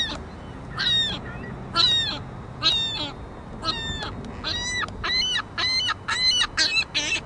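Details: Juvenile ring-billed gull squawking loudly and persistently, giving harsh, nasal calls with rich harmonics, each call often bending downward, repeated roughly once a second, with low background rumble.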